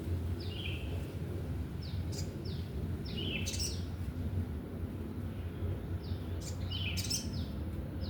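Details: A wild sooty-headed bulbul visits again and again: bright downward-sliding whistles in small clusters with pauses between, over constant low droning outdoor noise.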